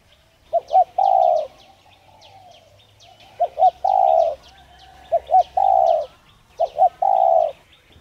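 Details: Coo of a spotted dove, played to stimulate a dove to call: four phrases, each two brief stuttered notes leading into one long mellow coo, while small birds twitter faintly overhead.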